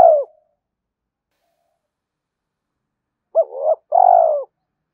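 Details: A spotted dove's coo, given to rouse other doves. The tail of a falling note is followed by a long silence, then a doubled coo and a long buzzy, vibrating note.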